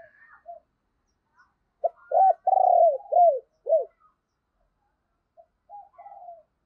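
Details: Caged decoy spotted dove stirring and cooing to call in wild doves, used in the morning. A series of short, deep, hooting coos comes in a tight burst, followed by a few softer coos against a silent background.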